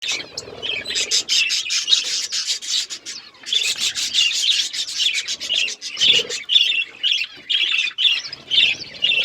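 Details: Several colourful pet budgies chirping together, a dense mix of rapid scratchy, buzzy chatter and short high chirps, with a few brief pauses.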